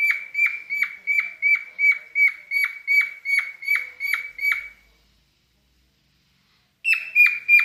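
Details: Singing pet cockatiel in mating mood: a steady run of about a dozen harsh whistled notes, each ending in a downward flick, roughly three per second, then two seconds of silence before another burst starts.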